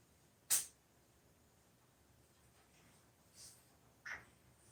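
A macaw sneezes three times in quick, sharp puffs. The first is loudest, and the last has a brief squeaky edge. The room is otherwise quiet.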